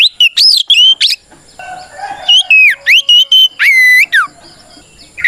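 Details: Oriental magpie-robin in fighting song used to provoke other kacer; fast looping whistles and buzzy notes, a short quiet gap, then clear repeated whistles ending in a drawn-out downslur.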